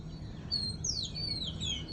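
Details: Small bird calling in the morning outdoors; thin, high whistled chirps sweeping up and down, several quick notes in the second half over a low background hum.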